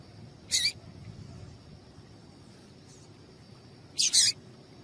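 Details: Papa-capim female giving piado calls meant to warm up males for song contests: one bright high chip, a long pause, then a quick doubled chip near the end, over soft constant hiss and a thin electronic tone.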